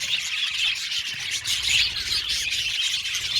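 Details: Budgerigars in an aviary colony chirp together, with dense, overlapping high chatter and squawky notes running without a break.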